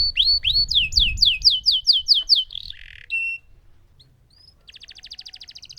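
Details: Lemon canary rolling song: rising whistles leading into a string of falling swooped notes, a short rasping burst, a brief pause, then a softer fast trill high in pitch.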